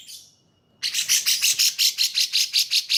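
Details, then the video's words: Cucak jenggot (brown-cheeked bulbul), used to train pet birds: after a short fading note and silence, a dense, buzzy, high chatter pulses steadily at close to three notes per second. "CUCAK JENGGOT VS KAPAS TEMBAK || Sangat Cocok Untuk Masteran Burung Anda"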